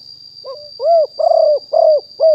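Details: Spotted dove, wild-caught decoy bird recorded live at Nong Khu Phai in 2021. A soft introductory note precedes a quick series of deep curved coos, two with a burry roll, and a thin high hum runs throughout.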